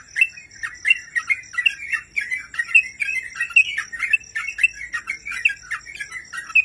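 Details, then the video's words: Sooty-headed bulbul in a master recording for training cage birds: a lively, continuous run of quick chirpy notes and short whistled phrases, fluttering up and down in a bright mid-high register with steady rapid rhythm. "Masteran burung crucukan gacor terbaik"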